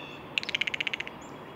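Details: Blue jay giving a single quick series of about a dozen harsh, evenly spaced clicks lasting under a second, over quiet outdoor background hiss.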